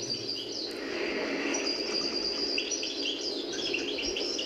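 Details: Caged European goldfinch in Algiers sings a rapid, tinkling run of twittering notes and buzzy trills, high and continuous, over steady hiss; an old song style from the El Biar region, partly improvised as the bird perfects it.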